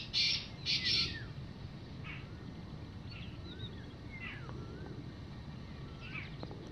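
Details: Wild black francolin (black partridge) roaming free in the evening, giving two loud, harsh, grating notes in quick succession, then falling quiet while faint chirps from other birds continue over a steady low rumble.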